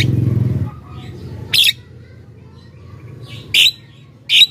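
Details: Javan myna in lively chatter, played to lure wild mynas: three harsh, buzzy notes spaced about a second apart, after a low rumbling murmur at the start.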